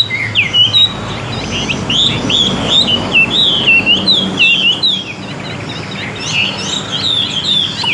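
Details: Tame Chinese hwamei in a cage delivering a continuous stream of loud, varied whistles and trills, rising and falling, about two or three phrases each second, over low background hum.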